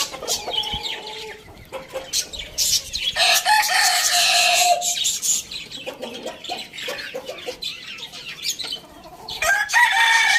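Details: A rooster crows in the morning, one long call of roughly two seconds that holds a steady pitch and then falls, set among clucks and small bird chirps.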